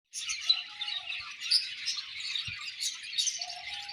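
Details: Budgerigars chirping, a dense continuous chatter of fine high warbled notes with scattered sharper squeaks, and a faint low steady tone near the end.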